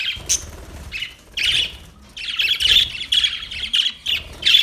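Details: Budgie giving scratchy, buzzy chirps, a short opening note then a denser run of chattering calls in the second half.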